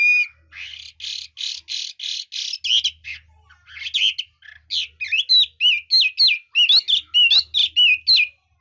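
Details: Chinese hwamei: a run of six harsh buzzy notes, then energetic twisting whistled phrases that jump up and down in pitch, loud and varied. Faint low hum.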